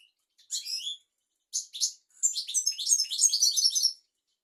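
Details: European goldfinch singing, recorded for teaching goldfinches and canaries: two short high twitter phrases, then a long, lively, rapid jumble of tinkling, buzzy notes for nearly two seconds.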